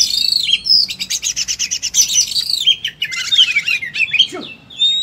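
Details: Caged oriental magpie-robin in full fighting-style song packed with mimicked phrases: rapid varied whistles, sweeping slurred notes and dense buzzy trills, sung continuously with short gaps.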